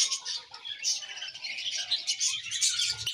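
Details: Colony of budgerigars chirping together, a dense overlapping chatter of high warbles and twittering notes with no pauses.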